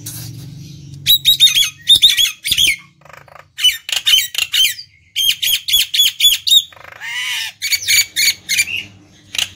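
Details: Nias hill myna singing loudly, played to lure and stimulate other birds; bursts of harsh, squawky notes with stacked bright overtones, given in quick clusters separated by short pauses, with a low hum underneath.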